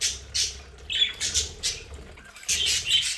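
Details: Domestic budgerigars in a home play area chatter in short harsh bursts. Thin whistled notes are mixed in, with brief pauses between flurries. A faint low hum sits in the background.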